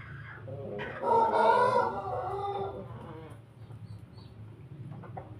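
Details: Pelung rooster, a laughing-crow cockerel, crowing while eating: one drawn-out, harmonic, rough crow lasting about two seconds that trails off, followed by soft clucks and background noise.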